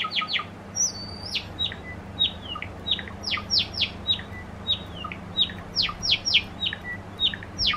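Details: Pet Java sparrow courting while being stroked by hand; a steady run of high, sharp descending chirps, some linked by thin whistled glides, repeated several times a second over a low indoor hum.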